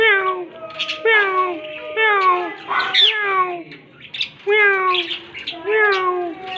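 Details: Green talking parrots utter a series of falling, nasal, voice-like harmonic syllables, several in a row, some resembling a meow, with brief pauses between groups.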